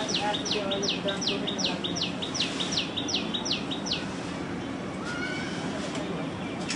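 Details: Common tailorbird (Orthotomus sutorius) calling heavily during nesting season, a loud, high, swooping note repeated quickly, nearly three per second for about four seconds, over a steady background hiss.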